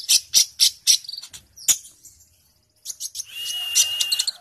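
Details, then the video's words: Sunbird in fighting mood, singing for use as a tutoring recording: a few loud, evenly spaced sharp chirps, a short pause, then a thin buzzy trill with scattered high ticks. "Kolibrimu langsung fight dan gacor!!!"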